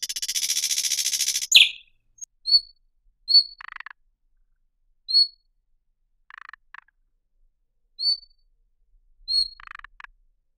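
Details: Thrush nightingale calling after a brief burst of dense buzzy song: single high, pure whistles repeated every second or so, some followed by short low dry rattles.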